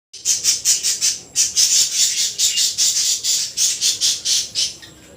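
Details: Baby budgerigar giving a fast series of harsh, high squawking calls, about three per second, steady and insistent throughout with no other sounds.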